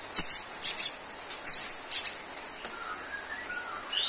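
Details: White-rumped shama, caged, singing for a low-stamina bird: four sharp high doubled chips about every half second, then soft low whistled phrases and a rising high note.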